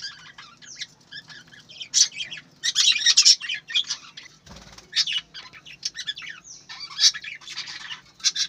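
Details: Busy, overlapping high chirps and squawks of budgerigars on a breeding farm, with one low fluttering sound near the middle.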